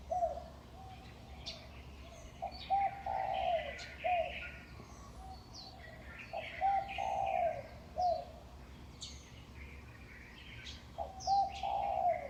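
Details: Birds calling from utility poles at daybreak, about 5:25 am, Huanan New Village, Taipei, Taiwan, May 2019: clusters of two or three soft coos separated by pauses of several seconds, with sparse high chirps between.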